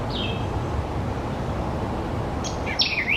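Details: White-eyed Vireo calling, likened to R2-D2: a brief high downslurred note near the start, then after a pause a burst of sharp, warbling, electronic-sounding notes at the end, over steady low background rumble.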